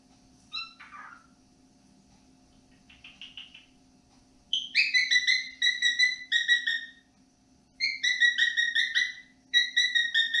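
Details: Pet cockatiel hatched in November 2022, whistling peek-a-boo and other melodic tunes indoors in the evening: a rough chirp, then quick bright whistled notes in rapid runs of about six, pausing between bursts, over a steady low hum.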